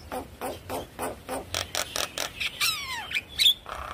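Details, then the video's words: Javan myna song used as a lure to get a silent bird singing: a run of short harsh broadband notes, then a few clear whistles sweeping steeply down, ending in a noisy burst. "Pancingan Jalak Kebo Macet Bunyi Ampuh Bikin Cepat gacor Manggut2"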